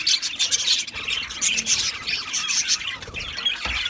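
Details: Colony of budgies in an aviary, with mating chatter: overlapping squawks and bright chirps, a busy warbling chorus with brief louder bursts, steady throughout.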